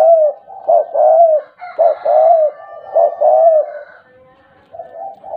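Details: Tame spotted dove singing in a stuttering style with frequent calling: low, mellow coos in repeated phrases, each a short note followed by a longer rolling coo, about three phrases, then a softer ending.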